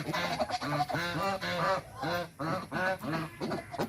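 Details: White domestic geese, angry and defending their territory, give rapid, repeated nasal honks in quick runs, several birds calling over one another at close range.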